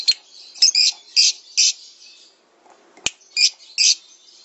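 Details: Lovebird vocalizing on a master recording for training cage birds: loud, harsh, squawky bursts repeated at uneven intervals, a quiet pause, a single sharp click, then more rasping squawks.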